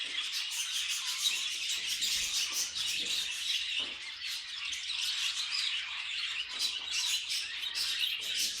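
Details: Pet budgerigar noises: rapid, repeated short chirps and squeaks in a fast, pulsing stream, with occasional harsher squawks mixed in.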